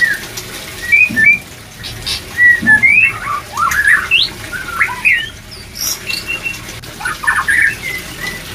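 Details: White-rumped shama singing to boost breeding drive: clear slurred whistles, some rising steeply, delivered in short bursts separated by brief gaps, plus a couple of soft low knocks.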